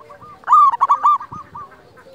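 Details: Zebra dove of local origin, recorded to stimulate other doves: a short, loud, stuttering coo phrase of about five rapid notes, then fainter rolling coos and a soft low thump.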